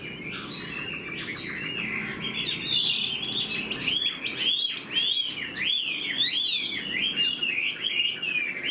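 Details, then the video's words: A captive hwamei in new plumage, fanned tail flicking as it sings, pours out looping, wavering whistles that climb and dip in quick succession, growing fuller after the first few seconds. "Chim họa mi đuôi xòe, hót vẩy đuôi khướu cực đẹp, lông mới tinh"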